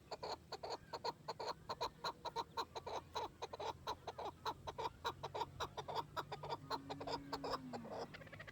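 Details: Chukar partridge calling in a rapid series of harsh chak notes, close and repeated with uneven spacing, while a low drawn-out sliding tone sounds near the end.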